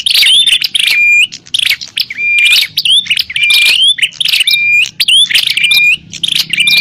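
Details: Lure recording of a bar-winged prinia fighting call: loud, almost continuous harsh buzzing chatter with high thin whistles and short rising whistled notes, closely packed, faint low hum.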